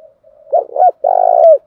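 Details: Spotted dove cooing, male and female, used to stimulate cooing: a soft low hum, two short hooted coos, then a long purring rolled coo ending in a falling note, clean and close.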